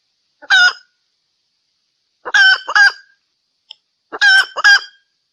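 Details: Hen cackling as she calls for a male: three bursts separated by pauses, the first a single harsh note and the others paired 'ka-daak' notes, the second of each pair louder and more drawn out.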